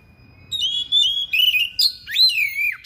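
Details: Thick-billed kacer (Oriental magpie-robin) singing sharply and insistently, unloading mimicked fill-in material: high sustained whistles and buzzy notes, then a loud swooping phrase that rises and falls before a closing burst.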